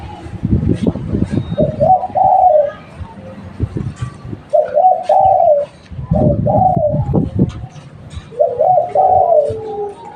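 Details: Local spotted dove used as a lure, giving low, mellow cooing phrases, each a short stuttering lead-in and a longer slurred note. There are three phrases, about three seconds apart, with low thumping knocks in between.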